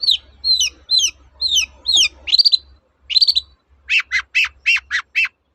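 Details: Long-tailed shrike song meant to coax quiet shrikes back into singing: a string of short falling high chips repeated about twice a second, then louder buzzy notes and a row of harsh descending phrases, over a faint low hum.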